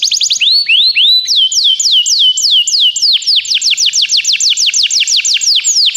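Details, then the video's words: Canary singing, a recording meant to prompt a pet canary to sing; bright descending whistled sweeps in steady rhythmic runs, accelerating into a fast rolling series after a few seconds, with no other sounds. "O som de um canário é eficaz para o seu canário cantar"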